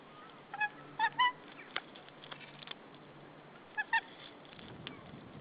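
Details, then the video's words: A White-tailed eagle at its nesting territory on 15 April 2013 gives short, goose-like yelping alarm calls at intruders as the male brings prey: three quick notes, then two more after a pause, with faint knocks over a steady hiss. "Male White-tailed Eagle brings prey. Intruder alarm!"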